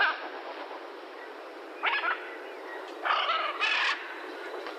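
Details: Macaw giving harsh, raspy squawks: one short burst, then two longer grating calls about a second later, over steady background hiss.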